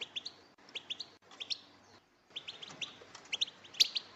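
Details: A group of female European goldfinches calling to excite males into singing: paired high chirps repeated in short bursts, broken by brief silences, growing denser toward the end.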